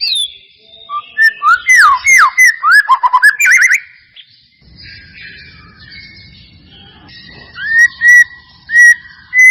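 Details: White-rumped shama lure song for prompting reluctant birds: a quick burst of looping whistles and chirps, a quieter pause with soft low rustling, then a few spaced clear whistles.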